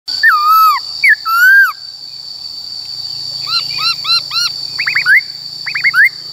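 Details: White-cheeked laughingthrush singing in the wild forest style, used to train caged wild-caught and young birds: loud whistled slurs and hooked notes, then quick repeated rising-falling whistles, over a steady high whine.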